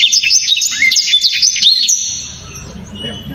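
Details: Black-throated canary singing a loud, sharp, clear burst: fast high chirps and trilled notes packed densely for about two seconds, fading to quiet background murmur.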